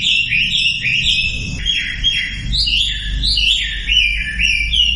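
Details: Loud Sumatran leafbird lure song meant to get non-singing birds to sing: a rich, unbroken stream of varied slurred whistles and chirps, with some low rumbling underneath.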